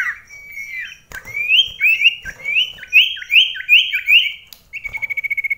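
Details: Common iora in a close-range indoor song contest: a slurred whistle, then a series of rising upslurred whistled phrases about every half second, ending with a fast even trill.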